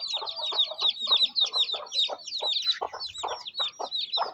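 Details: A hen feeds her small chicks during rain in a Pakistani village. Loud, clear peeps from the chicks and short, throaty clucks from the hen alternate in a busy, steady rhythm.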